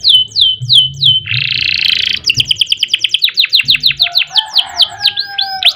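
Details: Canary song of the ngerol and nembak type: several clean falling whistles, a harsh buzzy burst, then a long rapid series of sweeping descending notes about three per second, with a faint low tone and soft thumps.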